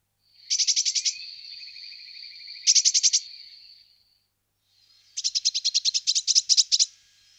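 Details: Eurasian blue tit giving fast, even trills of high, metallic notes over a sustained thin tone. A second short trill follows, then after a pause a longer, rapid trilled run.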